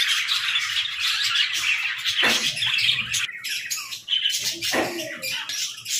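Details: Budgerigars in an aviary chatter in a dense twittering mass, broken by a few sharp downward squawks in the middle and later.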